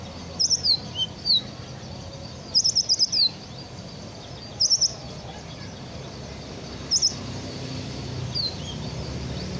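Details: Newly moulted sunbird in captivity delivering thin, high twittering trills mixed with short falling whistles, several bursts in irregular succession against a low steady noise floor.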